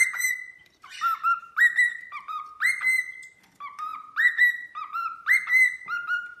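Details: Pet cockatiel whistling indoors with its toy swing: repeated phrases of a high held note sliding down into a lower warbled tone, one raspy note near the start.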